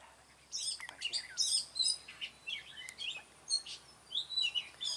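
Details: Red-whiskered Bulbul singing at a bird-trapping site on 20 June 2018, a run of bright, sharp chirps and short whistled warbles in rapid irregular bursts, mostly high-pitched, against a light background hiss.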